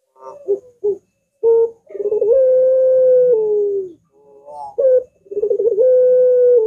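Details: Barbary dove giving a long, drawn-out curving coo, used as a training recording and lure for other doves: stuttering rolled notes lead into a sustained steady tone, then it falls away; the phrase repeats after a short pause.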